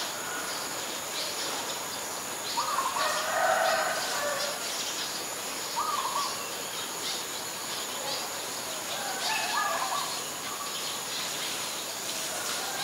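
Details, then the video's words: Several brief mid-pitched calls from Ashy Woodswallow, a very common resident, at Ubon Ratchathani, Thailand, on 25 February 2022, scattered irregularly across the recording against continuous high-pitched background hiss. "นกแอ่นพง : Ashy Woodswallow"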